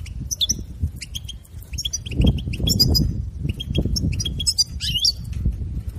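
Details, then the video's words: Rapid goldfinch twitter used to encourage a captive goldfinch to sing: continuous clicking chirps and buzzy, tinkling phrases that tumble together, set against a persistent low-pitched background rumble. "بتبتة لن تندم على سماعها أنت وحسونك تحفيز رهيب"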